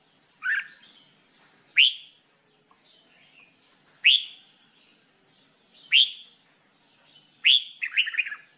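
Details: Red-whiskered bulbul singing during training: five sharp upswept whistles about 1.5 seconds apart, the last followed by a quick jumbled chatter of short notes; quiet between phrases.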